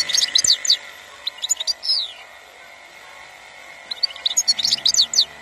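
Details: European goldfinch singing in Algeria, 2021: clusters of fast, liquid, tinkling twitters and buzzy trills, a pause of about two seconds, then another lively burst, over a constant faint hum.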